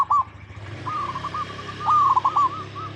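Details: Local Indonesian zebra dove giving soft, wavering coos that swell into a louder trilled, stuttering phrase, over low steady hum.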